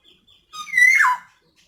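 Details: Single loud call of a female black-naped oriole, used as a lure for males that rarely sing: a nasal, drawn-out note that holds steady, then drops sharply.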